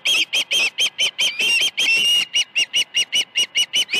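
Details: Osprey at the nest on a morning in August 2019 when fish are brought. A fast, even series of high, piercing chirped notes, about eighteen in four seconds, with a longer drawn-out note near the middle.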